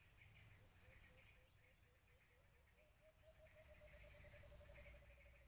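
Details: White-eared brown dove, locally Alimokun, from the Philippines, in a bird-trapping setting at Antipolo: a quick run of short low cooing notes, about four a second, edging slightly upward in pitch, over steady insect hum and faint high chirps.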